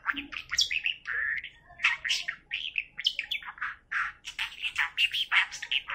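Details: Budgerigar talking, saying "I can tickle your knee", in a fast chirpy babble with mimicked words blurred among high warbles and squeaks.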